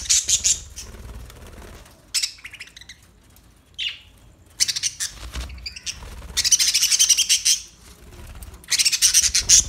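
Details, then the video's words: Newly acquired pet budgerigars giving bursts of high, scratchy chattering and squawks with brief warbled notes, separated by quiet gaps. "New Budgie Birds Sounds"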